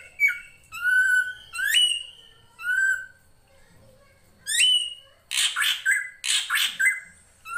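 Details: Drongo (srigunting krantil) full-fill master song for training songbirds: ringing slurred whistles that sweep upward, then a burst of harsh, rasping squawky notes near the end.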